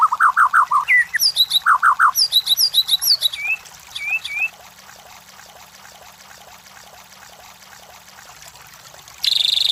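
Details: Competition-lure recording of a White-rumped shama: quick bursts of bright whistled notes, some very high and ticking, then a quiet pause and a sudden loud burst at the end.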